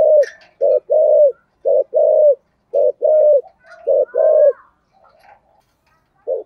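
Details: Spotted dove kept as a decoy, singing in the deep-voiced style known locally as giọng thổ: low rounded coos in quick groups, short notes and longer held ones, about a note per second, with a faint thin whistle midway.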